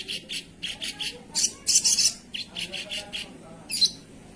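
A sogon sings a fast series of high, sharp chirps and squeaky bursts, several per second, with a louder scratchy phrase in the middle.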